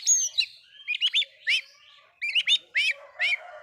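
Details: Oriental magpie-robin singing to provoke other magpie-robins into agitation: short bursts of bright whistled notes, some rising then falling, opening with a high sweeping whistle, phrases split by brief pauses.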